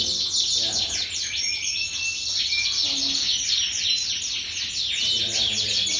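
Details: Singing domestic canary, AOB 23 type, thin-feathered, prized for song length; rapid high chattering trills and brief whistled notes run continuously, with soft low murmur of people underneath.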